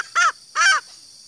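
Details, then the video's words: Female green junglefowl call meant to draw out males: two short, arched, nasal notes about half a second apart, then quiet. "suara betina ayam hutan hijau"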